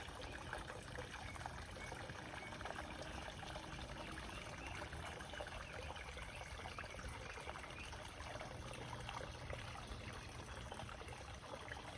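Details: Steady rushing of rain or a flowing stream fills the forest, and no animal voices stand out.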